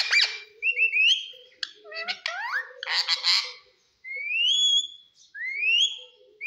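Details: Green pet parrot mixing harsh squawks and clicks with long rising whistles, repeated in separate phrases.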